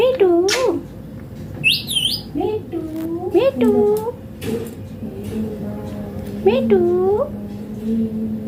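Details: Indian Green Ringneck parrot talking in clipped, wavering syllables with rising and falling inflection. A high whistled note sounds between phrases. A low steady hum runs underneath.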